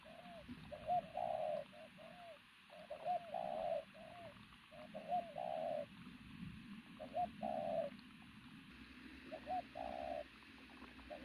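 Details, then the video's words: Loud cooing from a wild-caught, strongly built pigeon: repeated phrases of short curved notes leading into longer drawn coos, roughly every two seconds, over low rumbling background noise. "bổi thổ bồ câu tướng lực sĩ,,Gù âm to cực tốt"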